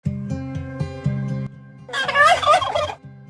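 A turkey lets out one loud, rapid, rattling gobble lasting about a second, after a stretch of low, steady humming tones.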